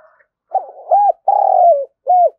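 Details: Spotted dove decoy bird cooing to lure wild doves: a soft low coo followed by three clear, mellow hooting notes, the middle one long and slightly falling, in a quiet setting.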